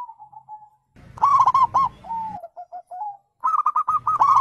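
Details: Zebra dove call, local and Bangkok strains, played to prompt birds that have gone quiet to answer: quick bursts of bright, clipped coos, a falling run of short notes between them, low rumbling noise underneath.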